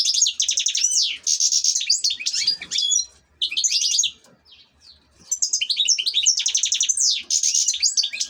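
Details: European goldfinch, an ornamental cage bird, in a lively high-pitched song of tinkling twitters, rapid trills and quick downslurred notes, pausing briefly near the middle before resuming.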